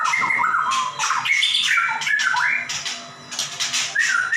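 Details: White-rumped shama singing energetically: rich whistled phrases sliding between low and high notes, some rising, others falling, with harsher buzzy notes mixed in and a steady low hum beneath.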